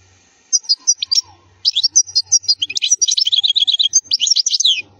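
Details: Wild European goldfinch singing in the khalwi style, offered as a flawless song for teaching young goldfinches: a half-second pause, then rapid high twittering notes and buzzy trills run into a dense, sustained warble, with no other sounds.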